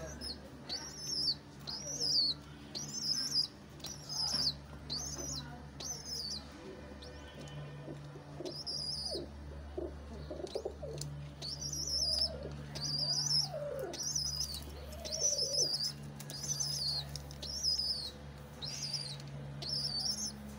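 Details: Pigeon parent with its chick: thin, high squeaky notes with a brief rise and fall, repeated about once a second in bursts, with lower arched, groaning notes between them and a steady low hum.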